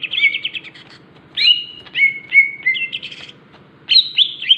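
Greater green leafbird giving three quick bursts of bright, chattering whistles with short level and sliding notes, over a faint low hum.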